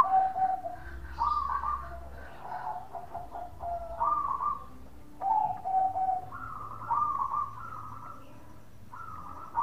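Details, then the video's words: Local zebra dove bekur calling, a sound meant to get other doves to respond. Many short, fairly quiet coo phrases come in an uneven string, some rising slightly, over a low rumbling background. "Perkutut Lokal Gacor Suara bekur super Ampuh bikin Nyaut bunyi"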